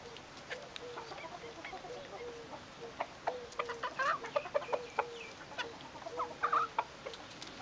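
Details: Vulturine guineafowl giving dense bursts of rapid clucking and chattering notes, busiest in the second half, with a faint low tone running beneath.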